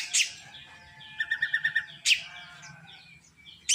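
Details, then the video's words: Drongo called srigunting krantil, singing more each day, delivers a sharp burst, then six quick clear repeated notes, another harsh burst and a final high whistled note, in quiet surroundings. "Semakin hari semakin gacor burung srigunting krantil"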